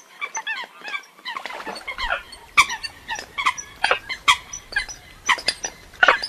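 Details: Eurasian coots in a recording from abroad give a busy stream of short, sharp, nasal calls. Several birds overlap at a quick, irregular pace, with some squeaky, rising notes.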